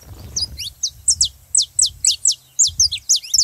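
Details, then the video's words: Saffron finch song used to stir up other canaries to sing: a run of sharp, high downslurred notes, about two per second, with soft low rumble in the first half. "canário da terra pra foguea seu canário frio"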